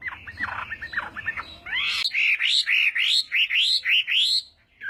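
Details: Chinese hwamei in morning singing practice: a burst of harsh, scratchy notes, then about nine loud rising whistles repeated evenly, each ending in a sharp upward flick.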